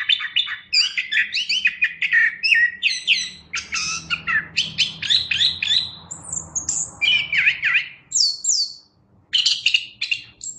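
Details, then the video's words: Chestnut-backed thrush in lively, energetic song: a continuous flow of varied whistled and chattering phrases, quick and rich, with high squeaky notes and short pauses between bursts. "Suara Burung Anis Kembang | Gacor"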